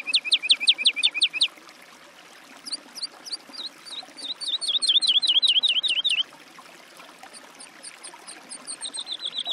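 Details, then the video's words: Woodlark song: a fast run of bright, steeply rising notes, then a longer series of clear, slightly descending fluty notes repeated several times a second, with brief pauses between phrases and faint background rustle. "Голоса птиц. Жаворонок лесной (Lullula arborea)"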